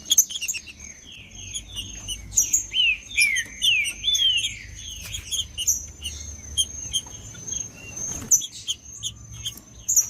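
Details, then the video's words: Green-winged saltator singing macheando to warm up rival birds: a burst of rich whistled phrases, rising then falling slurs in quick succession, then sparser high chirps and a short clatter of noise, with a constant high-pitched whine behind. "Trinca ferro cantando Para Esquentar Trinca ferro"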